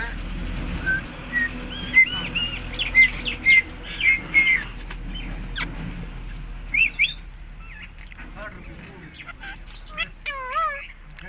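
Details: Pet Indian ringneck parakeet giving a series of short, clipped chirps, roughly one per half second, alongside wing flutters. Wavering whistled notes come later over a low steady hum.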